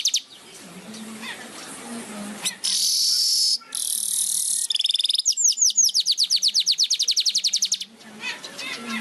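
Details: Weaver singing persistently while flapping its wings: a dense, buzzy high-pitched hiss, then a rapid run of sharp repeated chattering notes about three per second, with a low steady hum underneath.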